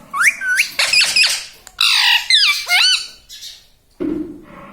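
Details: Indoor pet green ringneck parakeet vocalising: rapid whistled upward sweeps and harsh squawky syllables in quick succession, then a short pause and a lower fragment at the end.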